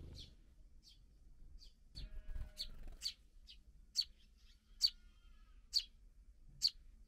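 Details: Sparrow fledglings just out of the nest, being fed by their parents: sharp high chirps repeated roughly every second, growing louder toward the end, with faint low rumbling and a brief soft whistle early on.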